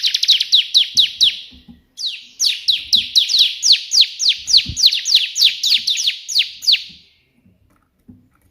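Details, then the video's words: Energetic bar-winged prinia (ciblek) in white-prinia 'tembakan' burst song. Long, nearly continuous series of rapid high downslurred notes, about three to four per second, with a brief break before quiet at the end. "burung ciblek gacor versi tembakan perenjak putih"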